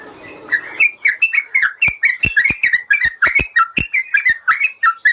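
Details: Yellow-vented bulbul singing as master material for caged birds. A brief noisy start gives way to a steady run of bright, bubbly whistled notes, each dropping and rising, delivered at a brisk, even tempo.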